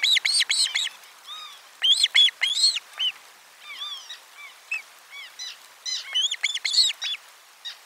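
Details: Ospreys calling loudly at nest 4 as lunch fish is delivered, 12 July 2022. Dense, excited series of high arched whistled chirps in clusters, with softer falling notes between them.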